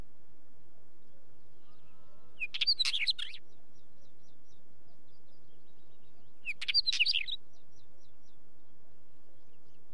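A Wheatear gives two short, scratchy, crackling bursts of notes about four seconds apart, over a faint low background hum.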